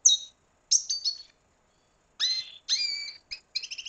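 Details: Red siskin from Venezuela giving short separated high phrases of bright chirps and twittering notes, with quiet gaps between bursts; no other sounds.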